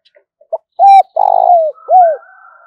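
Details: Spotted dove kept as a lure bird, calling to attract rivals: quiet lead-in notes, one arched coo, a drawn-out rolling purr that slides down, and a final falling coo over a thin background hum.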